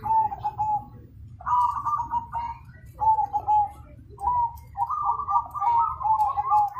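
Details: Loud zebra dove song in repeated soft, mellow coo phrases, each a brief note then a rolling, quavering trill, given several times in succession over a quiet low hum.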